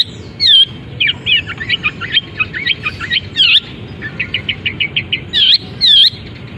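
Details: Caged long-tailed shrike performing mimicked canary, fighting-sparrow and kapas tembak phrases after its cover is removed: loud, looping whistled notes interspersed with fast, chattering chirp series. Faint low noise underneath.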